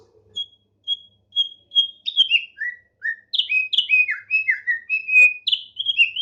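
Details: Tame Thick-billed heleia in full song: it starts with spaced, clear single whistles, then speeds into a lively series of downslurred and warbling whistled notes that grow steadily louder toward the end.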